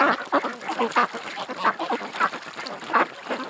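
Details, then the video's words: Ducks at a creek give short, nasal quacks in uneven pairs and runs, a few birds calling close together. "Ducks At The Creek"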